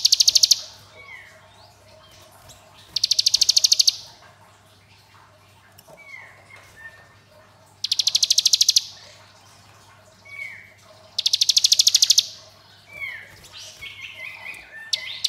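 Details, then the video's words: Ngebren singing by a hill prinia, with five short bursts of very rapid high ticking notes spaced roughly every three seconds, and soft swooping whistles in the gaps. "Ciblek Gunung Ngebren AK47 Durasi Panjang"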